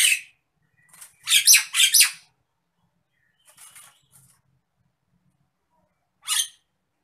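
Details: Nias hill myna, described as worked up, delivering a quick cluster of three or four rasping squawks, a softer scratchy note, then a lone harsh call after a pause.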